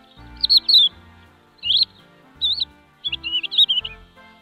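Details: Crested lark song in short phrases of liquid, looping whistled notes, some rising and falling, with gaps between bursts and soft low hum behind.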